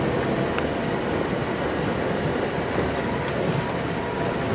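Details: Steady loud rumble of a moving vehicle during an evening safari drive at sunset, with no clear animal calls above the engine and road noise.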